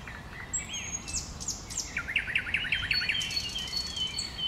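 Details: Common nightingale in bushes, singing a quick run of repeated downslurred notes delivered like a rapid trill, introduced by thin high whistles, with constant low background noise.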